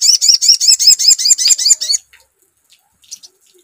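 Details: A sogon, played as a lure, delivers a dense two-second series of high, hooked, buzzy chirps at roughly three per second, then only faint scattered ticks.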